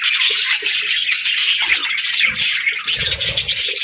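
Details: A group of budgies chirping nonstop, a thick layer of high, scratchy warbles and quick squeaks, with faint low bumps toward the end.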